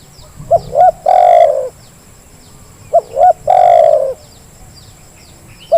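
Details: Lure call of a spotted dove for encouraging reluctant doves to call: two phrases of two short upturned notes and a long, full, gently falling coo, then the first note of a third phrase. Soft chirps of other birds and a steady hiss.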